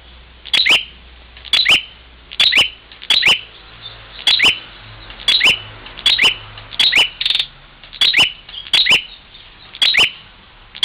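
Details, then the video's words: Bar-winged prinia from Parigi, Ciamis, West Java, attacking its reflection in a mirror: steady series of paired sharp chirps with snapping clicks, roughly every second across the whole stretch, about a dozen bursts against a calm background. "prenjak luhur tarung dgn cermin"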